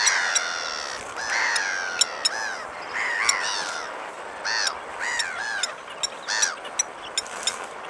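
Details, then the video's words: Blacksmith lapwing calling with sharp, metallic clicks scattered through the clip, mixed with louder arched, harmonic calls that rise and fall. "Blacksmith Lapwing"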